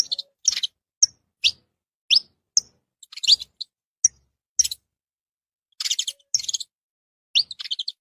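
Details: Wild saffron finches in nature: sharp, high chirped notes delivered singly and in short clusters, some rising quickly, separated by brief silences over a quiet background.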